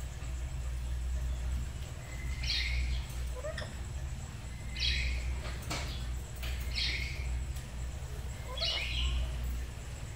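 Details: Morning duet of pet black-capped lories at home, learning 'gacor' chatter: four short, harsh squawks recurring about every two seconds, fairly faint against constant low rumbling noise and occasional clicks.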